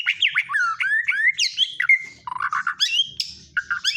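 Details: White-rumped shama song with cotton and machine-gun fills: rich varied whistled phrases, sweeping up and down, broken by quick chattering bursts and sharp high notes, continuous and loud with a faint low rumble beneath.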